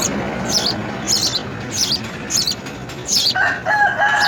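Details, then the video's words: Nestling house sparrows begging as insects are brought, rasping high squeals in quick pulses, joined near the end by a clear steady tonal sound. "House Spsrrow Feeds Insects to Babies"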